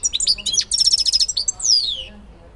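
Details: Goldfinch from Elbasan, Albania, singing a rich, rapid phrase of high twittering notes and a rattling trill, closing with a long, drawn-out downward-sliding whistle.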